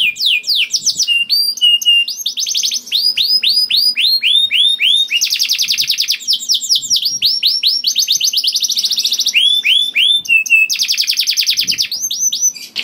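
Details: Extended canary song played to trigger singing in other canaries: alternating fast descending trills, series of arched upslurred notes and dense buzzy rattles, loud and nearly unbroken throughout.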